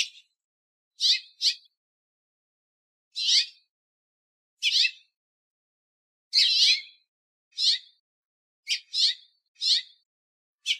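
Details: House finch calling in a backyard: short, bright, slightly buzzy cheeps, about a dozen at irregular intervals, some in quick pairs, against a silent background.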